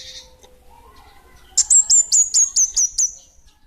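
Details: Small "bunga api" kemade in full song: after soft faint notes, a rapid burst of eight piercing high whistles, each dropping slightly, evenly spaced over about two seconds.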